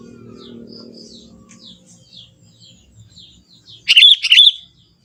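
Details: Young Sooty-headed bulbul from the forest singing with its natural voice: faint high chirps first, then a loud, bubbly phrase of two or three quick warbled notes near the end, over a soft low hum.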